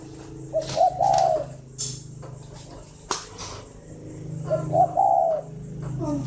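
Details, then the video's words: Spotted dove at a breeding farm in Ba Vì, Hanoi, Vietnam, cooing in the morning: two rolling coo phrases about four seconds apart, with clattering knocks, rustles and a low background hum between them. "tiếng chim cu đẻ"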